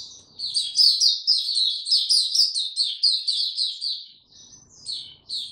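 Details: Song of a white-eye recorded 26 March 2022 in warm, very humid weather: loud, fast jumbled chirps and trills strung together without pause, easing into softer, sparser notes near the end.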